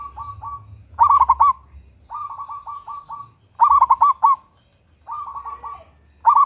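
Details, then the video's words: Local zebra dove, a female calling to a male, used as a lure; loud trilled bursts of five or six coos alternate with softer, level coo series, as if two birds answer each other. "Perkutut Lokal GACOR Suara BESAR - Pancingan bunyi"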